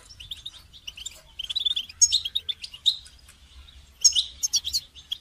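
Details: Goldfinch song for training other songbirds: soft twittering and buzzy warbles that build into louder, sharp high chirps and tinkling notes toward the end.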